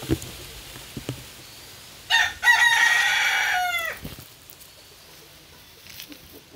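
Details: Angry rooster, recorded on 17 December 2022, giving one long, harsh crow lasting nearly two seconds with a strained, rasping tone that ends in a falling tail, amid faint background noise and a few clicks.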